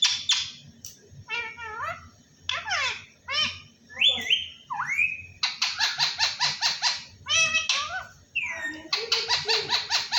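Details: Parrot talking, saying "Allah Hoo". A varied mix of harmonic spoken-style syllables, falling slides and two clear whistled notes is followed by fast regular trains of short, sharp, chattering pulses, repeated several times in a row.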